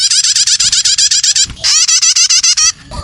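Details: Lure recording of young prinias calling: two tight runs of about a dozen rhythmic, pulsing buzzy chirps each, the notes evenly spaced and rising, followed by a short quieter gap and a fresh burst.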